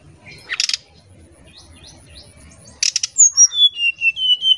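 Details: Oriental magpie-robin in nyuling style lure song: after faint rustling and two bursts of clicking, a string of bright whistled notes steps downward, each note short and repeated in quick succession.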